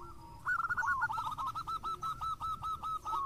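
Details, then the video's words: Local zebra dove singing vigorously: a rapid run of short, clipped cooing notes, about four per second, steady in pitch after a brief rising start, over low background hum. "JAWARANYA PANCINGAN !! ( Perkutut Lokal Gacor )"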